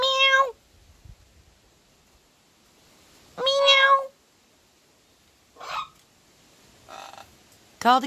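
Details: A pet blue macaw on his new swing gives drawn-out, nasal cat-like meows with a bent, falling tone while the owner calls "kitty"; he had been meowing like a cat and also barks like a dog.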